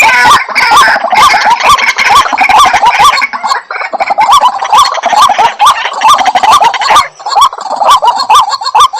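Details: Lure sound for calling white-breasted waterhens: a relentless chorus of rough, nasal croaks, roughly two per second, with a brief dip partway through before the rhythmic calling resumes.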